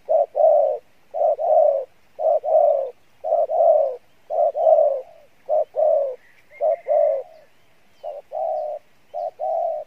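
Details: Field-type spotted dove giving its 'Bai Loi' style song with good voice and cooing: regular hoarse low coo pairs, a short note then a longer one, repeated nearly every second, with a brief faint chirp.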